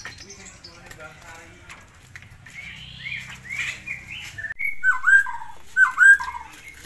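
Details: Tame forktail singing in the continuous 'ngitir' style used as master song for training birds; faint rustling first, then a few loud, bright whistled notes with quick up-and-down slurs near the end.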